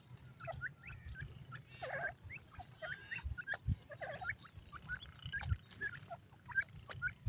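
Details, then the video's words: Grey francolin pair, male and female, calling in quick bursts of high, clipped whistles and short down-slurred notes, over a persistent low hum. "teetar nar R madi ki awaz,grey francolin female vs male ki voice"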